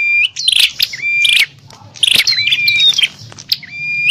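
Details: Bar-winged prinias in a noisy fight, played to call in wild birds: harsh chattering bursts broken by bright level whistles and a sliding note, with a brief quiet spell midway.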